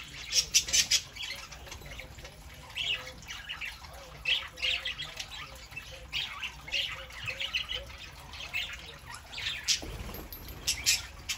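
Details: Steady Saturday-morning chatter of several pet parakeets indoors, soft continuous warbling with scattered sharper squawks and a short low thump near the end.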